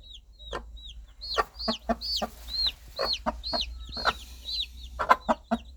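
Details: Hen calling her baby chicks with rhythmic clucks about two per second, over loud arched high peeping from the chicks and a low steady background hum.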